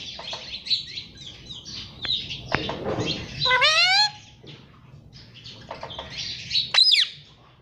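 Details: Parrot calling: a run of short, high chirps, then a loud, harsh, harmonic squawk that rises and falls, with more scattered chirps and a final sharp rising squeal.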